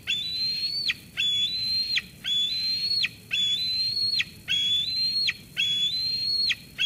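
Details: At Sauces Canyon, 13 June 2021, an eaglet squees its food-bringing mother away. Loud, clear, steadily rising whistles that break off with a sharp drop, repeated roughly once a second, about six in a row.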